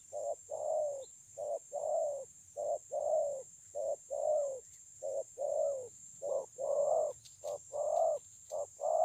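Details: Spotted dove described as a 'bổi' with an excellent voice, Kon Long, 9 June 2020, coos steadily: low paired notes, a clipped coo then a longer swelling one, about a dozen phrases, rhythmic and unhurried, light hiss behind.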